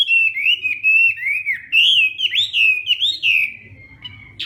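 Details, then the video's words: Hwamei singing a morning training song in fighting style: a continuous stream of clear, wavering whistles and fast slurred notes that fades toward the end. "Hoạ Mi Hót Đấu /hoạ mi hót sáng luyện giọng kich bổi sổ giọng chim hót hay mỗi ngày"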